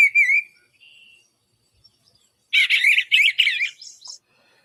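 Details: Eastern Bluebird song played back, a squeaky, fluty thrush song: a short warbled whistle near the start, a softer note, then a burst of several quick squeaky warbled phrases after a pause; clean background.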